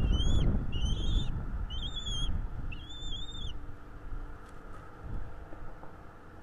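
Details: Bald eagle at its North East Florida nest, nest-camera audio from 12.02.2022, 16:09: four high, wavering whistled calls in the first few seconds, then quiet, with heavy low rumbling wind or handling noise throughout.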